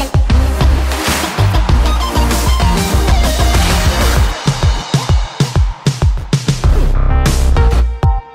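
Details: Loud electronic dance music with a heavy beat plays throughout, with no animal sounds heard.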